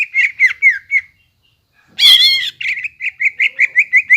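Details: Greater green leafbird song used to rouse silent leafbirds into singing: a run of short, bright, slurred notes repeated rapidly, a pause, then a harsh buzzy burst, followed by an even string of quick chirped notes.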